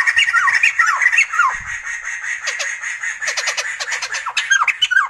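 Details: Sumatran laughingthrush giving quick downward-slurred squawks, about three or four each second, mixed with harsh chattering and a steady high hiss underneath.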